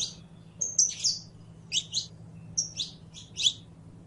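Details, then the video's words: Canario criollo, or Saffron finch, singing a dense sequence of high sliding chirps and whistles in tight pairs, over a low hum. "CANTO DE CANARIO CRIOLLO CANTANDO"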